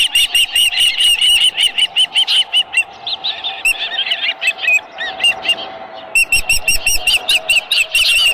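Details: Repeated shrill whistled chirps from an osprey at its ranch nest with a live fish, delivered in rapid bursts, fading slightly midway before another loud, rapid sequence.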